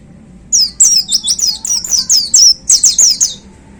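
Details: Caged white-eye in full 'tembakan' song: a fast, steady run of a dozen high, sharply down-slurred whistled notes, roughly four per second, each crisp and ringing, lasting about three seconds against a soft low hum.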